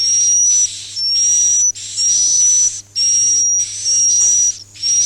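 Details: Swiftlet lure recording of the roosting style called "Masal", made for swiftlet farming: raspy, buzzy high bursts under a steady thin whistle, repeating about once a second with short silent gaps and a faint low hum.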